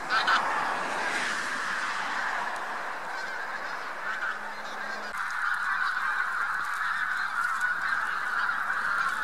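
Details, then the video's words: A huge flock of bean geese with some white-fronted geese on spring migration at Lubiń near Trzemeszno, central Poland, 3–4 March 2018; a dense, continuous chorus of overlapping nasal honks and cackles with no pause throughout. "Wielkie stado gęsi / Huge Flock of Geese"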